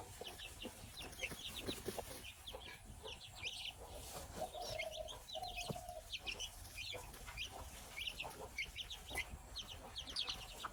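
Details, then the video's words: Baby chicks peep in rapid, high, often downslurred notes, many overlapping continuously, with a low hum and a brief lower tone in the background. "chicks chirping sound | baby chicks chirping"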